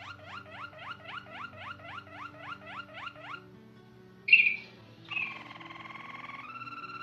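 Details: White Waterslager canary, a singing breed from Belgium whose song is likened to bubbling, flowing water. Rapid rising notes repeat about four times a second for three seconds, then a sharp chirp and a long, steady, buzzy rolling tone.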